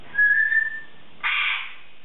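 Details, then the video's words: Female Congo African grey parrot, 3.5 years old, kept as a pet indoors, chattering and practicing words in the morning; a clear steady whistle held about a second, then a short breathy rushing burst. "Talking African Grey's Morning Vocalizations"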